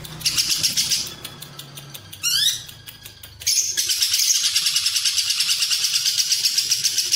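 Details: High chattering ngekek of a lovebird, a long Cililin-type run meant as a master recording for competition birds; quick pulsed trills, a short rising squeaky sweep, then a long steady burst.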